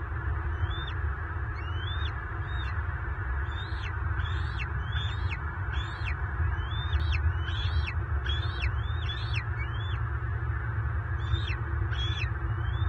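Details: Bald eagle, an adult male defending his nest of eaglets against a mature intruder that locked talons with him, Southwest Florida, March 2023. A long run of roughly fifteen high piping whistles, each sliding up then down, over constant low-pitched background rumble.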